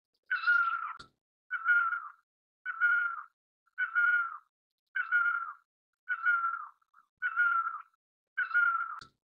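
A great barbet gives eight loud, mewing wails, each slightly falling, repeated about once every second. There are no other notable sounds.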